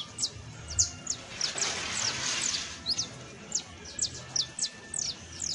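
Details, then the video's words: Juvenile saffron finch singing: high, thin descending chirps and slurred notes in loose series, fairly quiet against a low background hum. "CANTO: CANARIO BASTO [SICALIS FLAVEOLA JUVENIL]"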